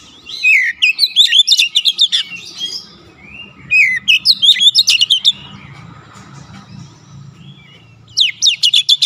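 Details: Oriental magpie-robin in full, insistent song showing off its learned phrases: dense rushes of whistled slurs and sharp ticking notes, two long bursts then a quieter gap before a third begins, with a soft low hum.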